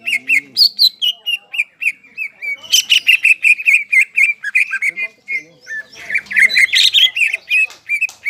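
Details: Crested greater green leafbird in energetic song, used as therapy for stressed leafbirds that have stopped singing; a long run of rapid repeated whistled chips, about three per second, with bursts of higher, denser warbling.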